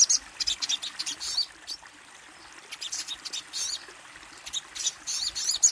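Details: Kolibri ninja hummingbird giving bursts of thin, high-pitched twittering notes, separated by short quiet gaps, the phrases stuttering and sibilant.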